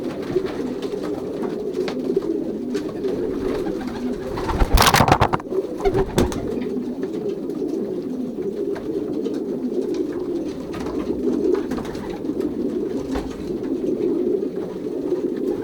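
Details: Racing pigeons in a young-bird loft at pairing, 2023, Pruszków section: an unbroken mass of low rolling coos, interrupted near five seconds by a loud rattling bang.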